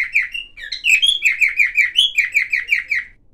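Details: Silver cockatiel song full of various sounds: a brief rising chirp, then a lively stream of about a dozen rapid, slurred whistled notes with a high sparkling edge, delivered almost without pause.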